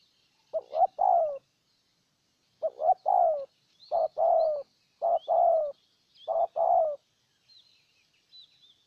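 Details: Low, mellow coos from a spotted dove used as a decoy to win over a wild bird in Ninh Thuận, Vietnam: five phrases at irregular gaps, each a brief note or two then a longer falling tone, with soft high twitters behind.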